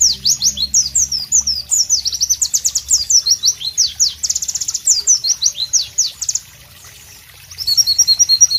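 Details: Loud, melodious song of the white-eye, known as pleci, in natural tropical ambience: rapid high slurred whistles and trills for six seconds, a short silence, then a brief burst of tinkling notes.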